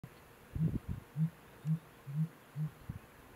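A male Sooty Grouse gives deep, muffled hoots about twice a second, six or seven in a row. The background is quiet apart from a faint hiss.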